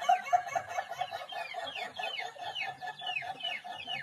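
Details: Ayam Ketawa chicken crowing in a long run of rapid, staccato laughing notes, pulsing several times per second without pause, with a fainter second bird calling in the background.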